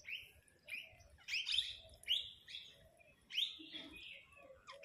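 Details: Parrots in a flock squabbling over food, giving separate harsh, rising-then-falling squawks about every half second to one second, with quieter chatter and faint low notes between calls.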